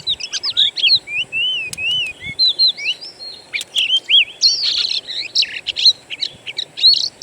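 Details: Natural birdsong lure for the kacer, or Oriental magpie-robin: long sweeping whistles and looping slurred notes, followed by denser chattering phrases, over a thin steady high tone.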